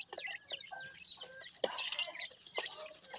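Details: Grey francolin chicks at feeding time give short, high, wavering peeps in quick succession, with a brief sharp knock midway through.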